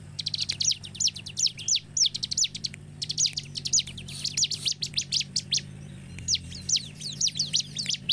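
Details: Bar-winged prinia lure song meant to make other prinias sing: quick, piercing chirps in repeated rattling clusters with brief breaks, over a faint low hum.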